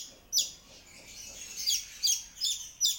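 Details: Long-tailed shrike in active song, giving sharp, raspy high-pitched notes in uneven bursts about two per second after a short quiet start.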